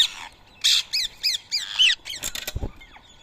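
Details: Rose-ringed parakeets calling while feeding on soaked boiled rice in Coimbatore, India, at 7:00 AM on Sunday, 31 March 2024. Harsh, shrill squawks come in a quick run of five or six arched notes, followed by a brief clatter.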